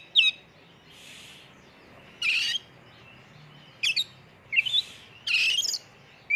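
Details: Oriental magpie-robin (kacer) lure recording in full-isian tembakan style: scattered harsh, buzzy bursts and short whistled slurs separated by pauses, over a steady background hiss.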